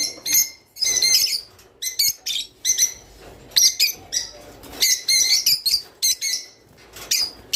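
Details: Java sparrow song played to encourage pairing: tinkling, bell-like notes mixed with dry clicks in stuttering phrases, clear and close, with brief silences between bursts.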